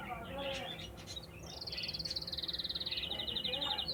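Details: Canary outdoors in nature: after soft chatter and a voice, it delivers one long, rapid, pulsing trill that drifts slightly downward.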